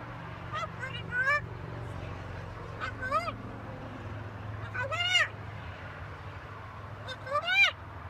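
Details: A macaw talking: four short, bright harmonic utterances with arched, rising-then-falling pitch, spaced one to two seconds apart, over a low steady hum.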